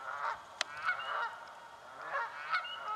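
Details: Canada geese contesting nesting spots in swampland give grating, nasal honks in quick runs, with a sharp click near the start and a high whistle behind.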